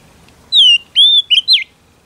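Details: Female Oriental magpie-robin whistling to stimulate a male: a clear descending whistle, a steady level whistle, then two short twittering notes and a final falling slur, with soft room noise beneath.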